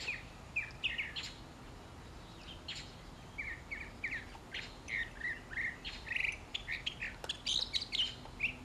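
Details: Mockingbird singing at morning mealtime while sparrows, Inca doves, a stray cat and a parakeet feed nearby; a lively run of short, varied chirped and whistled phrases, each note changing, with brief pauses and louder bursts toward the end.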